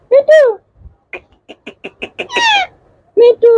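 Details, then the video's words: Pet Indian ringneck parakeet, kept alongside yellow, blue and green birds, talking: two drawn-out, speech-like harmonic phrases bracket a quick run of about seven clipped syllables and a falling squawk, with no background noise. "Indian ringneck parrot 🦜|| talking parrot ringneck || yellow,blue 💙, green 💚 ringneck nice talking"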